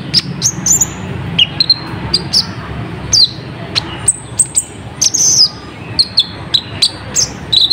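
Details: Olive-backed sunbird (kolibri ninja) song used to lure wild birds within minutes: rapid series of high, sharp chips and short slurred whistles, some trilled, coming in lively bursts with brief pauses.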